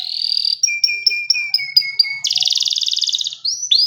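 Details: Singing canary: a sustained whistle, then a row of short paired notes, then a dense buzzing trill, finishing with two upward-swept whistles.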